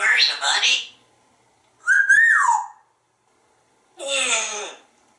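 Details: An African grey parrot, a very talkative house pet in Texas, makes a raspy speech-like syllable and then a bright whistle that swoops up and down. A harmonic, voice-like word follows after a short gap, indoors.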